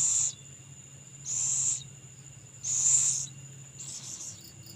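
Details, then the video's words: Owl heard while feeding its young: three loud, harsh, breathy hissing bursts of about half a second each, roughly one per second and a half, with faint insect chirping behind. "burung hantu ngelolohi anak nya"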